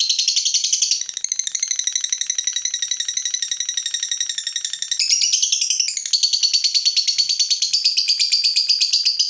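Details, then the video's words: Provoked fighter lovebird in a sustained "ngekek panjang": an unbroken, fast, high-pitched chattering trill that shifts pitch slightly midway and keeps going the whole time. "Lovebird FIGHTER terpancing Panas, nyaut Ngetik lanjut Ngekek Panjang"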